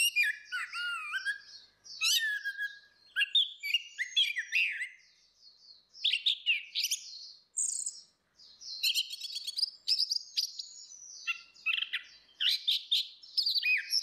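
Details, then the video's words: Female and male orange-headed thrush singing in the ngeplong style, used as a lure for a bird that has stopped singing: a dense, varied run of high whistled and twittering phrases, rising and falling, with short pauses between bursts. "SUARA ANIS MERAH BETINA VS ANIS MERAH JANTAN NGEPLONG || PANCINGAN ANIS MERAH MACET"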